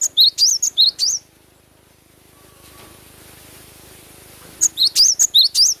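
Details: Cinereous tit singing with gusto in natural sound, two rhythmic bursts of high-pitched whistled couplets, a short pip followed by a rising slur, with a calm gap between them.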